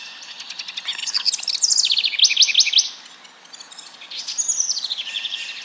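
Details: House wren song from Fauquier County neighborhoods, sung by males arriving in April after night migration to set up territories: a bubbly, fast tumbling trill of high notes, first burst ending in rapid repeated chips, then a second descending run.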